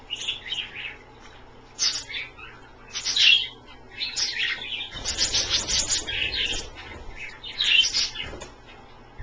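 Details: Captive Australian parrots bathing in a dish of slightly cool water keep up lively, squeaky high chatter in dense bursts. A low rumble runs underneath mid-way.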